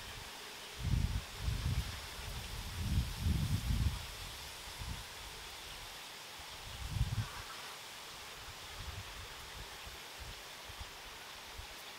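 Low rumbling bursts of wind or handling noise over a faint steady hiss, with no animal calls.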